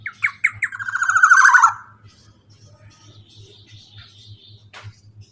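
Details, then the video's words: Black-naped oriole singing a long rolling phrase, played to prompt a silent bird to sing: a rapid run of harsh, harmonic notes that grows louder for under two seconds, then faint distant chirps over a steady low hum. "KEPODANG ROPEEELL PANJANG COCOk BUAT MASTERAN BURUNG MACET BUNYI LANGSUNG EMOSI"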